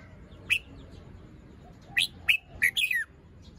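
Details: In the morning a moulting red-whiskered bulbul with fluffed feathers and short crest sings one bright whistled note, then a pause, then a quick run of four loud slurred whistles ending in a falling note; faint hum behind.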